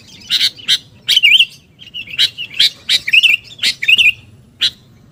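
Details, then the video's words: Sooty-headed bulbul calls for luring birds: loud chips mixed with lively, warbling, up-and-down whistled phrases, a busy chattering sequence. "SUARA PIKAT BURUNG KUTILANG GACOR"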